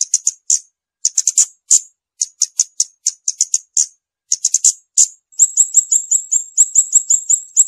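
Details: Scarlet-backed flowerpecker giving clusters of thin, very high ticking notes in short groups with brief gaps, then shifting into a fast steady run of sharp repeated notes to the end.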